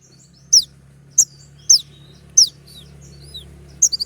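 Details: Kolibri ninja sunbird with a sharp provoking song: five piercing, high downward-swept notes at irregular intervals, ending in a quick run of clipped twitters.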